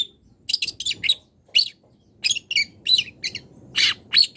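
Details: Long-tailed shrike call aimed at a rival: short clusters of harsh, buzzy chirps separated by pauses, quieter low rumble underneath.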